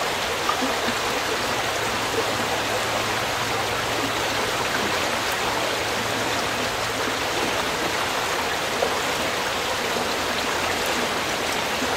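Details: Steady rushing water from a stream or waterfall fills the whole recording, with no animal calls standing out.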